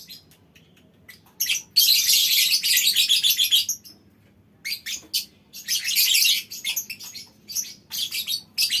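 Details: Group of lovebirds in a mini aviary joining in long ngekek: quiet start with faint ticks, then a sustained shrill, grating chatter of about two seconds, a pause and another long rasping run.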